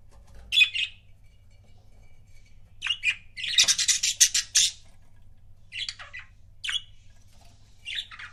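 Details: Pairs of pet budgies: scattered harsh chirps build into a dense, rapid, raspy chattering run of about a second, then more spaced single chirps follow, over a faint low hum.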